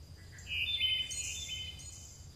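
A chickadee gives a thin, high, drawn-out phrase that steps up slightly in pitch, with faint buzzy upper tones, over a low steady background rumble.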